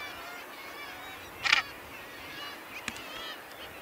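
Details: Northern gannet at Bempton Cliffs giving a short, loud, harsh rasping burst over a steady background of overlapping colony chatter, followed by a fainter sharp note a little later.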